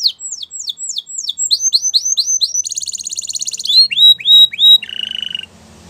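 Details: Canary song with series of quick upslurred whistles about three per second, a dense rattling trill in the middle, then lower rising notes and a short steady buzzy tone at the end.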